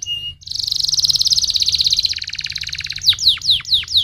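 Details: Canary stimulating song meant to get other canaries singing: a brief note, then a long rapid trill that drops into a lower rolling trill, followed by a run of sweeping downslurred whistles.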